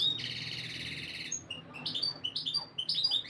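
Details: Canary singing to condition females for breeding: opens with a long buzzy rattling trill, followed by quick high whistles and rising chirps in an irregular series over faint background hum.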